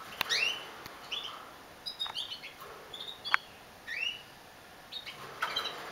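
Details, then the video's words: A female domestic canary sings: short, high chirps and rising slurred notes about once a second, sparse rather than a rolling song, with a faint steady hiss behind. "Kanarienvogelhenne singt"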